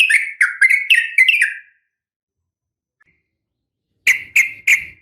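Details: Female yellow-vented bulbul calling a male, a sharp fighting call used as a lure for caged birds: bursts of quick chirpy notes clustered together, a pause, then three more spaced chirps.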